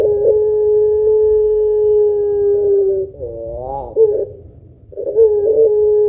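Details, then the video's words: Puter pelung spotted dove in full song, its long-drawn coo used to prompt other doves to call: one level low tone held about three seconds, then rising, wobbling notes, a brief pause, and the steady tone again. "Burung Puter Pelung Gacor Suara Panjang Kuwok Tebal Cocok Buat Pancingan"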